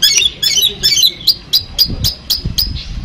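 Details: Madura-type long-tailed shrike from Pamekasan, a kept bird, singing Armagedon material: scratchy chattering phrases followed by a run of short, sharp, high notes spaced about a quarter second apart.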